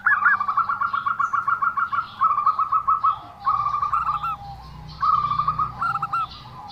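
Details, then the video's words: Zebra dove with an unusual song opens with a long, fast rattling trill of coo notes, then shorter rolled phrases after brief gaps. "perkutut suara aneh"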